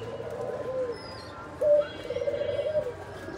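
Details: Kept Nabta pigeons after their babies have hatched: short arched coos, then a louder coo followed by a run of quick pulsing coo notes, with faint high chirps above.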